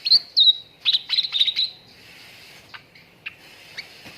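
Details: Cucak ranting lure recording for training contest birds to sing fast: loud, rapid high chirps tumbling into a quick chattering phrase, then fading to scattered faint notes.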